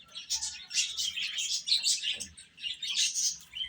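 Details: Small chickens chirping while they eat: loud, high, overlapping peeps rising and falling in waves, with a faint lower squeak in the middle.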